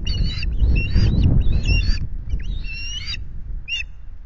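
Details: Afternoon fish delivery at an osprey nest, Loch Garten, 25 July: several groups of high whistled, slurred chirps, then a pause and one short final burst, with strong wind rumble fading.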